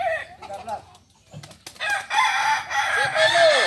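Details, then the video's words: A short burst of Kokok Balenggek crowing during a practice meet in Ampang Kualo, Kota Solok. An arched crow opens, a near-silent pause with clicks follows, then a dense chorus of crows rises to the end. "latberan ayam kukuak balenggek"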